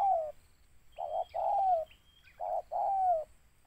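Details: Spotted dove sought by bird-lurers, cooing in paired phrases: a short hoarse note then a longer drawn-out descending coo, repeated about every one and a half seconds, with a faint thin high whistle between phrases.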